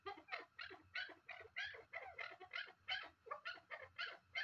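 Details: Chukar partridge giving a quick, uneven series of hoarse, clipped chattering notes, roughly three per second, against a low background hum.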